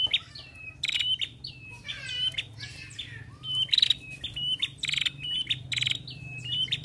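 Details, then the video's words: Ashy prinia female, a lively singer, used to provoke prinias into calling: busy run of high whistled notes with slurred ends, mixed with scratchy buzzes and short rattles, almost without pause. "Prenjak Betina Gacor"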